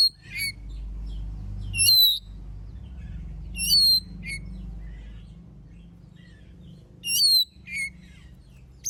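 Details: Oriental magpie-robin song used as a lure to provoke other birds into singing: sparse loud whistled phrases, some sliding down from high to mid pitch, spaced a few seconds apart with quiet low hum between.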